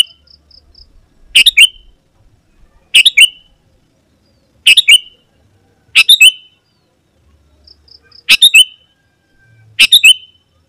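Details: Sooty-headed bulbul song for luring wild birds in the forest and training caged birds at home. Six short chirpy phrases with a falling whistled end arrive about every one and a half seconds over silence.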